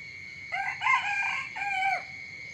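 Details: Morning crow of a rooster, a little quieter and more distant: a rough two-part opening followed by a held, slightly falling final note lasting about one and a half seconds, over a constant thin high tone in the background.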